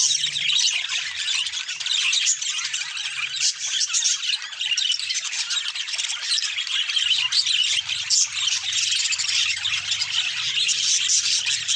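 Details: Caged budgerigars chirping and chattering. A dense, continuous wash of scratchy, high chirps and squawks overlaps with no pauses, with a faint low hum underneath.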